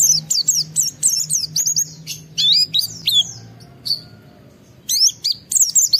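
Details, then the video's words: White-eye with high emotion, its song meant to make other white-eyes respond: fast tumbling series of shrill, thin whistled notes, sweeping up and down, with a short lull before another lively burst. "Pleci Mental baja EMOSI Tinggi ampuh mancing semua pleci segera gacor buka paruh"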